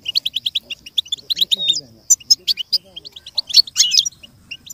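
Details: Goldfinch song played as a model for goldfinches to learn and imitate: fast, high twittering runs of short chirps and buzzy notes with brief whistled slurs, while faint low murmuring sits underneath.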